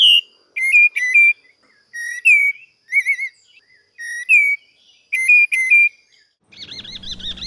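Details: A Creamy-bellied Thrush from Brazil sings short, clear whistled phrases, some rising, some slurred, spaced about a second apart; a different warbling trill cuts in at the end.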